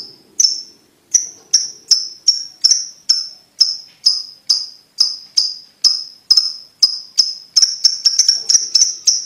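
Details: Lovebird ticking, played to train young lovebirds to trill quickly: crisp, high ticks repeated steadily about twice a second, speeding up near the end.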